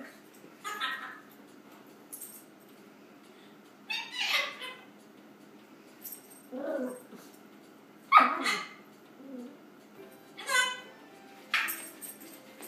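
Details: African grey parrot kept as a pet, yelling incoherently at home: a series of harsh, harmonic squawks and yelps spaced every one to two seconds, some rasping and broadband, others shorter and tonal, against a quiet indoor background.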